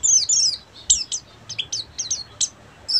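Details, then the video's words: Oriental white-eye, buxtomi type, delivering ngeriwik chatter: sharp high sliding whistles and quick chips in short separated bursts, faint low hum beneath. "SUARA BURUNG‼️PLECI BUXTOMI FULL NGERIWIK"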